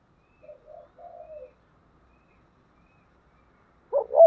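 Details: Thổ-voiced spotted dove cooing in thúc and gáy gọi style. A gentle phrase of two short notes and a longer falling one, silence, then two sharp, loud clipped notes.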